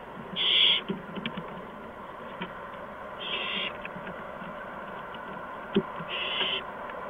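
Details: Owl nest on March 13, 2015, shortly after 8 PM, with adults bringing mice and a gopher to the owlets. Three harsh, breathy hisses are spaced a few seconds apart over a steady background hum, with a sharp tap near the end.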